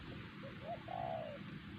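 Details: Wild spotted dove at Siosar, the target bird in a decoy-luring session, delivers a close phrase: two brief soft notes rising into a prolonged, steady, hollow coo, over faint hiss.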